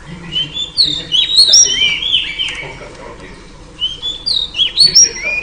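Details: A female oriental magpie-robin whistles to draw a male: a phrase of sliding, clear notes, a short pause, then a second bright phrase rising and falling.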